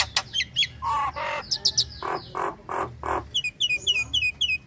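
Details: {'_': 'Female Nias hill myna in breeding condition calling a male: sharp high notes, harsh nasal squawks and broad rasping bursts, ending in a quick run of high, downward-flicking whistles.'}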